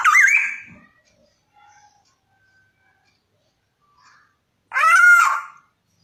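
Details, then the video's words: Black-naped oriole, locally called kepodang, singing: a short fluty, looping whistled phrase, several seconds of near silence with faint distant notes, then a second rich, mellow whistled phrase. "SUARA BURUNG KEPODANG"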